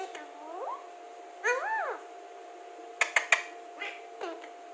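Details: Alexandrine parakeet talking: a rising syllable, then a louder arched, harmonic, speech-like phrase, followed by a cluster of sharp clicks and quieter tones, over a steady hum.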